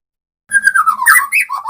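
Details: A captive white-rumped shama at a breeding aviary, starting to sing in earnest, gives a brief burst of rich, sliding whistled notes that rise and fall quickly after a moment of silence.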